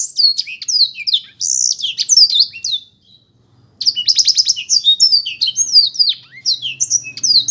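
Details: Black-throated canary with a run of rapid whistled slurs, a silent gap near three seconds, then a rattling burst of clicks leading into more varied song; faint low hum underneath.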